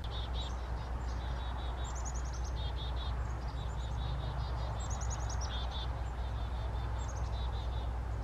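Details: Chickadee, filmed August to October 2020 foraging for insects: quick series of high, thin, buzzy repeated notes in short runs, some stepping down in pitch, above a loud constant low drone.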